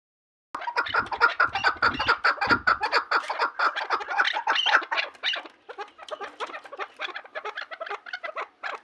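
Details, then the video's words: Chukar partridge giving rapid, rhythmic chuckling notes, repeated about twice a second in a dense, steady series that softens toward the end. "Кабки хушхон"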